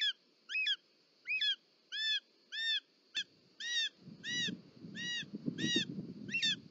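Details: Short-toed snake eagle at its nest in Parc Natural dels Ports, Catalonia, on 18 July 2024, as the mother arrives delivering a snake. Clear, arched, whistled notes with overtones repeat about every half second, and a low rustling rumble follows midway.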